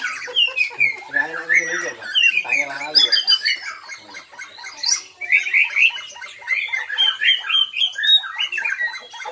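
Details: White-rumped shama, Bahorok origin with black legs, in a nembak song bout: rapid, dense chattering phrases mixing buzzy, rasping notes with quick whistled chirps, continuous over several seconds.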